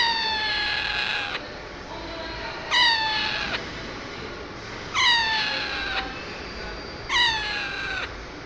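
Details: Four meow-like parrot calls, each a loud, nasal cry that drops in pitch, repeated roughly every two seconds.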